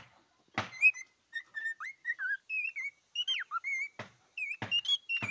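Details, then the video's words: Singing cockatiel giving bright whistled phrases, short level notes mixed with quick rising and falling slurs and a warbled ending, broken by several sharp clicks. "попугай корелла поёт"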